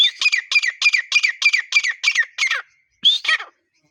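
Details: Grey partridge in the breeding season calling: a rapid series of harsh, squeaky two-part notes repeated about four times a second, then a short pause and a final double note.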